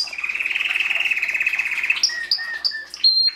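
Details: Canary song opening with a rapid, even rolling trill held for about two seconds, followed by separate short high whistled notes at different pitches.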